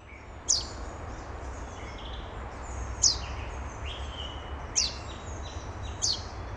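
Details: A chaffinch fledgling that has just left the nest gives four thin, very high, sharply falling notes a second or two apart, with fainter bird notes and a low rumble. Main Botanical Garden, Moscow, 14 June 2007.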